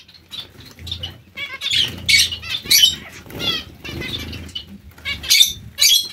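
A colony of zebra finches calls over one another in short, nasal, high-pitched beeps, with soft wing flutters and low thumps underneath.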